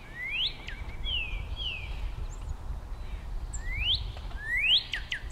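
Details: Male northern cardinal singing to his mate: loud, rising whistled slurs and a few down-slurred notes in quick series, with a soft low rumble behind.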